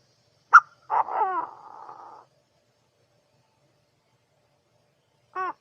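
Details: Quail giving a sharp note, then a buzzy descending rattle that fades into a thin buzz. After several silent seconds comes a brief, low harmonic moan.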